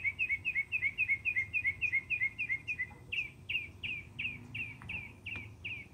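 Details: Mockingbird song: a fast run of about a dozen identical bright chirps, then a shift to slower, fuller, repeated slurred notes spaced about a third of a second apart, with soft background hiss.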